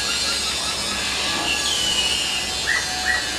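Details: Common mynas interacting on a utility pole give a thin, drawn-out whistle, then two short rising whistled notes about half a second apart, over steady background hiss.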